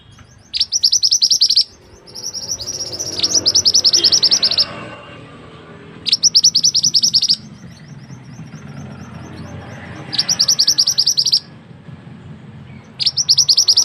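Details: Mantenan bird kept as a song tutor for other birds, giving five bursts of fast, bright, high-pitched chirped notes, each burst lasting about one second, with quiet gaps and faint background hum between them.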